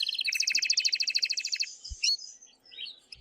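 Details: Excited male canary singing strongly to stimulate the female to mate: a rapid, even trill of bright repeated notes for about one and a half seconds, then scattered high chirps and twitters, with two soft low thumps.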